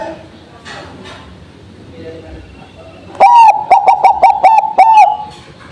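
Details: Bangkok zebra dove after morning dew: faint human voices at first, then one loud, fast string of staccato cooing notes finishing with an extended coo.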